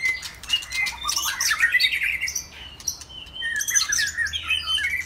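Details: Saturday afternoon song of a white-rumped shama: a dense stream of rapid twittering whistles and trills, swirling up and down in pitch, with a short lull midway before another quick bright run.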